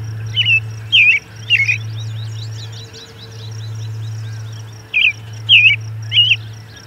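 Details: At an osprey nest site at Charlo, late morning on June 10, 2020, an American robin sings two quick sets of three caroling, slurred whistled phrases separated by a pause, with a constant low electrical hum beneath.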